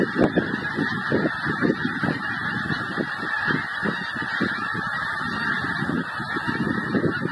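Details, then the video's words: Migrating geese call in a flock, distinct honks standing out roughly several per second amid a continuous babble of further calls. "Migrating Geese"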